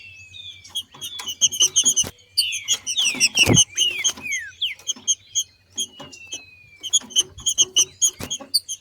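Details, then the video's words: Green-winged saltator female in nature giving 'macheando' song to stimulate singing in others; bright slurred whistles over a busy background of rapid sharp clicks and ticks, with a faint low hum throughout. "Trinca ferro Macheando na NATUREZA e canto de trinca ferro para esquentar ao maximo"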